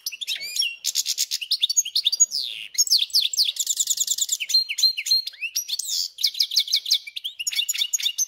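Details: Song of a captive hybrid between European goldfinch and canary: a continuous, lively medley of high chirps, rattling trills and slurred whistled notes, fast and changing throughout.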